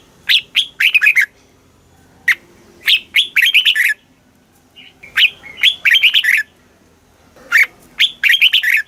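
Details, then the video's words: Red-whiskered bulbul, caged in Thailand, delivering southern master-style song to rouse and train other birds: loud, chirpy whistled phrases of several rapid, slurred notes, repeated in bursts with short pauses and a few lone single notes between. "เสียงนกกรงหัวจุก ร้อง ริก เปิดให้นกฟัง ยั่วให้นกคึกจัด chao mao hot, chào mào hót"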